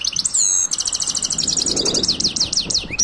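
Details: ['European goldfinch in silvestrismo song, a fast bright twittering run of high rapid trilled notes, then a series of repeated downslurred whistles, with a brief clear note at the end.']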